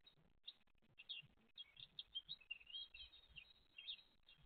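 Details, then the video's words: Great tit chicks and their mother on 29 April 2023: a steady stream of thin, high twittering squeaks over a soft background hiss. "GREAT TIT MOM & ITS CHICKS"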